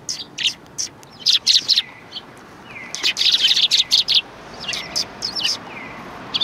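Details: Sparrows in a lively chorus at a Tenmangu shrine, 3 January 2020: dense bursts of shrill chirps, some overlapping, broken by short pauses, with a few lower, slurred falling notes in between.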